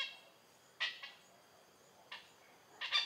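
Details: Oriental pied hornbill in Malaysia giving three short, harsh, cackling bursts spaced over a few seconds against a quiet background.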